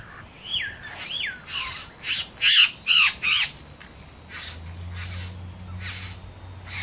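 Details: Male satin bowerbird serenading a female in the Southern Highlands while dancing and mimicking other birds: two rising-then-falling whistles, followed by a run of loud, rasping bursts, roughly two per second.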